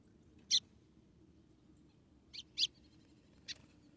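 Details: Calling female white-throated seedeater, recorded in Rio Grande do Norte, Brazil, trying to excite the male: one loud high chip, a pause of nearly two seconds, then a quick pair of chips and a softer final note.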